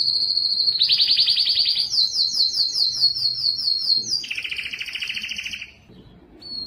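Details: Belgian canary singing to stimulate females for breeding: long, loud rolling trills held on one pitch, each switching abruptly to a new tour, first low, then higher and buzzy, then a lower rattling roll, ending in a brief high note.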